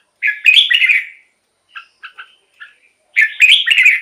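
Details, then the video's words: Red-whiskered bulbul singing, a recording used to rouse caged bulbuls or draw wild birds to a decoy: two bright, rolling warbled phrases framing a run of short clipped chirps. "เสียงนกกรงหัวจุก สำหรับต่อ หรือ เปิดให้นกคึก เสียงเพราะๆ"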